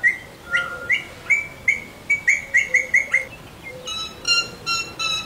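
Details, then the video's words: Parrot whistling in a training session: a rapid sequence of short, clean whistled notes, about three a second, then rougher, richer chirps near the end. "Parrot whistling"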